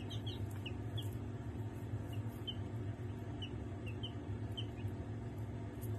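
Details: Barred Rock and Australorp chicks five days old, kept in a brooder playpen with a heater, 28 February 2023; repeated high, short peeps about once or twice a second over a steady low mechanical hum.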